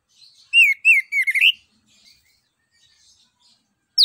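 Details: Orange-headed thrush singing as a lure for other songbirds: a quick run of loud looping whistled notes followed by a rapid twittering burst, then silence and a final sharp falling note.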